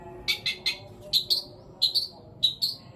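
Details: Long-tailed shrike fill-song with sparrow, petir and kuntilanak imitations, for rousing shrikes that have gone silent: clipped high chirps given in pairs and triplets, spaced about half a second apart, over a quiet low rumble.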